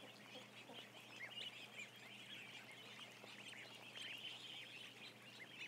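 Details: A huge flock of ducklings, roughly a thousand, kept indoors, keeping up an unbroken layer of high, squeaky cheeps, with a few sharper notes popping out over a low steady hum.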